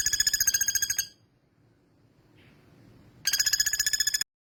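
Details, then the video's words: Male common flameback giving a short burst of harsh, rattling notes, then about two seconds of near silence with a faint soft note, followed by another loud burst of rapid buzzy rattles. "Pelatuk Bawang jantan Gacor"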